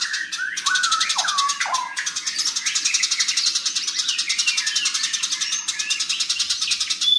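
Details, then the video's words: House sparrows in a fight: a sustained, high, buzzing rattle of quick pulses with several downslurred chirps early on and softer chirps scattered through the rest. "BURUNG GEREJA NYERET SPEED RAPAT VOLUME KERAS GACOR KONSLET"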